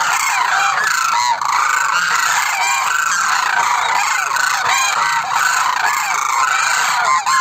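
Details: A group of demoiselle cranes (koonj) gives loud, overlapping, trumpeting honks, a constant clamor with individual rolling calls standing out here and there.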